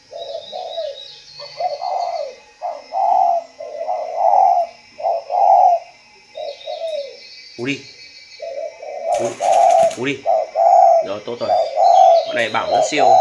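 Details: Captive spotted dove at a Vietnamese breeding farm gives low, soft, hollow coos in repeated two- and three-note phrases, about fifty a minute, while a man talks over the later calls.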